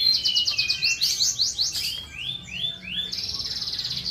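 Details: Asian pied starling mimicking other species: a series of quick upslurred whistled notes, slowing into longer rising slurs, then a buzzy high rapid trill.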